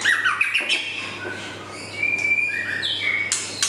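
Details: Juvenile male white-rumped shama (murai batu) singing a varied run of clear whistles and slurred notes, some rising and falling, with short sharp high notes, over a steady low hum.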